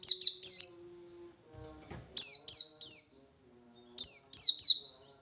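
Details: White-eye in wild ngalas 123-beat style, calling for a rival: three sets of three rapid, high, descending whistled notes separated by pauses, with a faint low hum and a soft rustle between the first and second sets.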